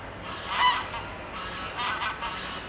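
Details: Ring-billed gull (Larus delawarensis) in Parque Isabel La Católica, Gijón, Asturias, Spain, February 2013: harsh, nasal harmonic calls, one louder cry near the start followed by a few fainter cries, over steady background hiss.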